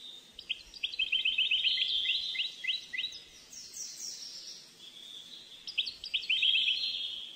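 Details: Captive-bred European goldfinch of parva type, hatched 10 June 2013 to a Moroccan father and Algerian mother, singing fast twittering phrases of rapid repeated chips and trills, with pauses between bursts.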